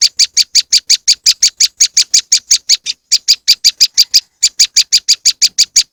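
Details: Powerful moss wren lure call series: dozens of sharp, high, rasping chips in fast steady rhythm, interrupted by two brief pauses, otherwise clean with no other sounds.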